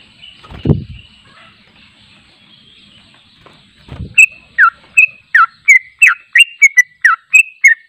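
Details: Sooty-headed bulbul (trucuk) singing its long 'ropel panjang' song, unedited and used for training: a faint thin note and two low bumps come first, then a rapid run of crisp, slurred chirps starts midway.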